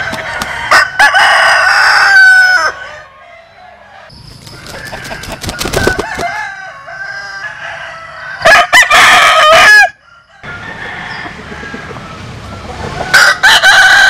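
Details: Roosters of Vietnamese and American Sil stock crowing in turn: several long, harmonically rich crows, some stuttering and wavering, separated by quiet gaps of a second or two, with faint background crowing between them.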